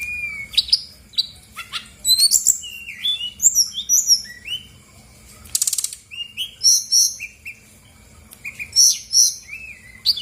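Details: Brown-chested jungle flycatcher singing energetically as a lure for silent birds: chains of bright whistled notes and chirps, a brief rattling buzz midway, then repeated high doubled whistles.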